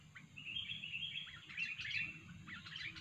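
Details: Sooty-headed bulbul used as a lure for bird trapping, singing a lively chattering string of clear, quick chirps and short whistles throughout, over a steady low hum.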